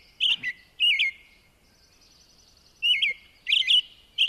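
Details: American robin dawn song: excited, hormone-driven typical song of little triplet notes, quick closely spaced caroling whistled phrases with thin squeaky high notes slipped between, over a quiet background.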